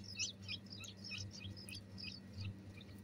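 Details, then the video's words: Pet bulbul nestlings begging during feeding, giving fast, sharp, high-pitched squeaks in an uneven stream, about three a second, with a constant low hum beneath. "طائر البلبل اطعام صغار البلبل feeding the nightingale chicks"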